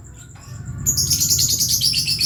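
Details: Lovebird chick learning to call, breaking into a loud, continuous stream of shrill, buzzy chittering after a brief quiet start, with a faint steady whine underneath.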